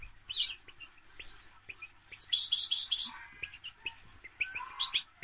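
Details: European goldfinch singing: quick bursts of bright, tinkling twitters mixed with short buzzy rattles, delivered in clusters about every second with brief pauses between; no other sounds stand out.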